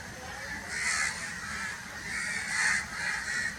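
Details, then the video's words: Crow giving three harsh, hoarse caws spaced under a second apart, half buried in a steady hiss of background noise. "crow noises sounds"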